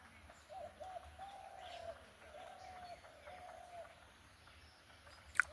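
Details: Soft, low, drawn-out dove (ghughu) coos fill the first four seconds, faint in quiet dawn ambience among village trees and bamboo at Barabaidpara, Bangladesh, 17 December, with a sharp click at the very end.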